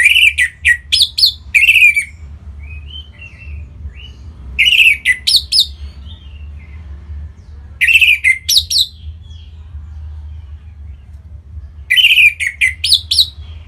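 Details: Captive orange-headed thrush in North Bali sings to coax song from other birds: bursts of rapid, buzzy, chirping notes repeat every few seconds, with soft twitters between them, over a constant low hum.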